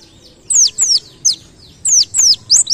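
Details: White-eye from a masteran tutor recording, ngalas style with canary-like bursts: loud, high, sweeping downslurred whistles spaced with short pauses, ending in two quick rising notes.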